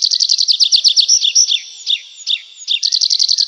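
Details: Nightingale singing in the forest at night: rapid, rhythmic bursts of high, clipped notes, a few drawn-out down-slurred whistles in the middle, then the fast pulsing series returns.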